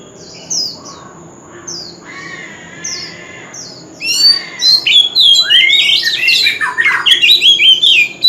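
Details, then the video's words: Male Oriental magpie-robin singing a wild-type fighting song without pause. Soft spaced whistles and a burbling phrase, then loud, dense run of sweet rising and falling whistled notes with sharp chips, over a faint steady high hum. "Chòe Than Trống Hót Liên Hồi – Âm Thanh Chuẩn Giọng Rừng - Chích Chòe Than Hót Đấu"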